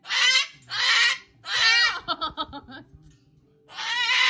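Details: Umbrella cockatoo in a tantrum, screaming: four loud, harsh, broadband screeches, three in quick succession and one after a short pause, with a brief run of softer clipped notes between them.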